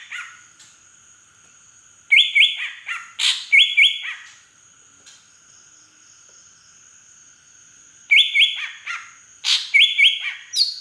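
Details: From Aceh's Beutong forest, a big native green leafbird gives its drongo-imitation fill-in: two long bursts of stepped whistles and quick chirps, each several seconds apart, with quiet gaps holding only a faint continuous high tone.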